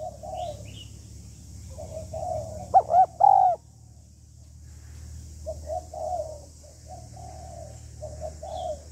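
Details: Female spotted dove calling to stimulate a male: soft murmured coo runs around a pair of loud arched coos midway, over a constant low hum and high hiss.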